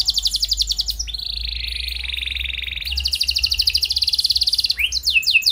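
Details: Canary singing to prompt other canaries to respond: a loud, varied song of rapid trills at high pitch, a long lower rolling trill, then a fast higher trill ending in sharp descending sweeps.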